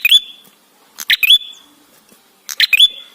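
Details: Three phrases from an ashy tailorbird used as a singing lure: a crisp rattle of ticks sliding into a long, piercing high whistle, separated by about a second of quiet.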